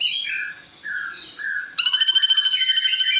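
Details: Ashy drongo singing, prepared as training material for songbirds: a few drawn-out whistled notes stepping down in pitch, then a fast, buzzy, rattling chatter repeated about three times a second.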